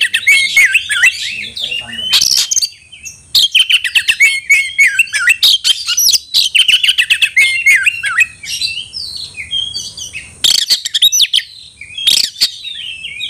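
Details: Oriental magpie-robin calling a rival to fight, singing long rapid runs of whistled and trilled notes with harsh bursts, over a faint constant high hiss.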